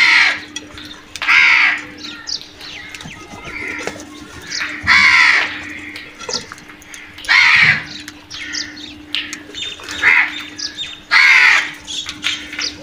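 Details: Crows vocalising during an attack on food, loud raspy caws spaced a few seconds apart, each about half a second long, with softer clicks, taps and scattered quieter calls between them.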